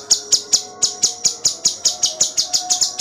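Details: Cucak cungkok in full gacor song, a tutor recording for cage songbirds: an even series of bright, piercing high chips, roughly five each second, steady in loudness throughout.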